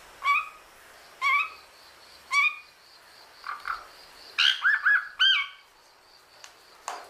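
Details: A talking cockatoo gives three rising, voice-like syllables about a second apart, then a quicker run of arching, speech-like notes, over a faint steady high hiss.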